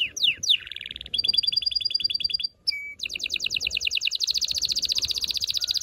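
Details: Canary song meant to stimulate males and prepare females for mating: fast descending sweeps, then a buzzy high trill, a brief pure whistle, and a long rapid rolling trill of repeated notes.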